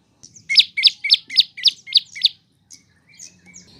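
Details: Training song for cage birds by a prinia known as prenjak lumut or lancur: seven bright downslurred chirps in a steady, quick run, then faint scattered twitters and low background hum.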